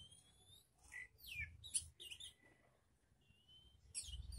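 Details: Young magpie-robin on a mental test with other birds nearby, giving scratchy chirps, buzzy notes and thin drawn-out whistles in short uneven bursts over low background rumble.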